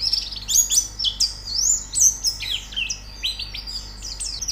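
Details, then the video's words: Audio for training a white-eye to sing: lively spurts of high, twisting chirps and quick whistled slurs, separated by short pauses, with a faint low hum. "Terapi Pleci Cepat Gacor Buka Paruh"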